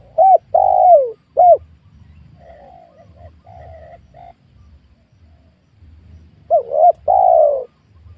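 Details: Spotted dove at a small, newly cleared oil palm plot during luring of wild birds: a low phrase of short hooked coos and one long coo, softer distant cooing in between, then the phrase again.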